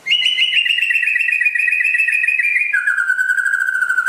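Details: Rare white-rumped shama of West Aceh origin, Indonesia, delivering one long sustained whistle with a fine rapid trill texture, held for over two seconds before dropping abruptly to a lower steady tone.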